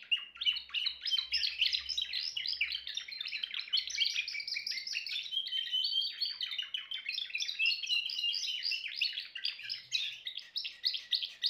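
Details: Timbrado canary song of quick, high trills and warbled chirps running without pause, with faint low thumps in the background near the start.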